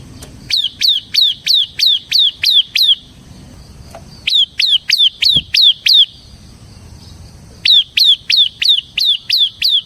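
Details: Bar-winged prinia of the ciblek semi type singing for luring and training other songbirds: three separate runs of about eight loud, high, whip-like chirps at an even, brisk pace with quiet gaps between.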